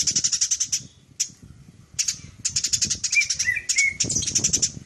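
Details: Sparrow chatter from a Eurasian tree sparrow, meant as a master song for cage birds: quick high notes in uneven bursts, a pause, then denser chattering with soft wavering whistles and a low rustle.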